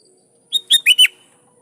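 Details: Sooty-headed bulbul calling to rivals, which wild birds answer. A single short phrase of four rapid, liquid notes, the last two rounded and slightly lower, rings out over near silence.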